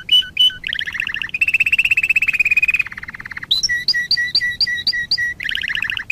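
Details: Canary song for training young birds: mixed chirps, a long rolling trill, a rapid lower rattle, then a run of paired two-pitched whistled notes and a closing trill.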